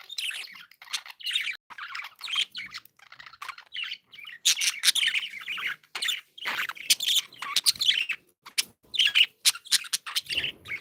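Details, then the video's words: Happy pet budgerigars chirp and warble in rapid overlapping bursts, bright scratchy notes and short tweets repeated with little pause, lively flock chatter. "Happy budgies sound"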